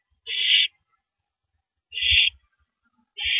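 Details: Owl, a female, tearing apart and eating a large rabbit in the early hours of April 9, 2012; rasping hissed screeches come roughly every one and a half seconds, with faint low knocks beneath.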